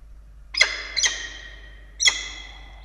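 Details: At an Australian nest filmed by a nest camera on 16 October 2022, peregrine falcons feed two chicks in the evening; three sharp, strident calls are heard, two close together and then one after a pause.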